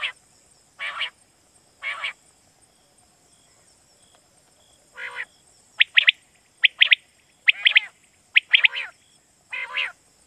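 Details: Quail call used in Pakistan to lure birds for night hunting: buzzy rasping bursts alternate with clipped triple-note whistles that grow more frequent toward the end, over a continuous high hiss.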